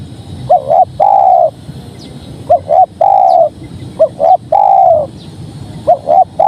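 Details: Spotted dove cooing steadily, each phrase a quick pair of short notes and then a drawn-out mellow coo that falls slightly, repeated three times over a faint constant hiss.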